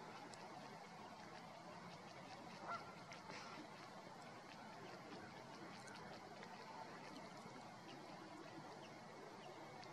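American coots in a flock give a steady din of short honking, grunting calls that overlap into a continuous, dense chatter.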